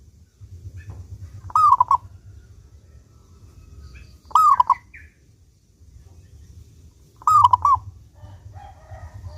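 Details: Singing local zebra dove with a clear voice, used as a lure for other doves. Three short stuttering coo phrases come about every three seconds. Quiet chirps and a low hum fill the gaps.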